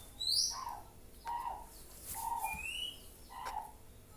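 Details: Juvenile white-rumped shama practising its song: a high swept whistle, then four soft low whistled notes roughly one second apart with a rising mid whistle between, quiet with background hum.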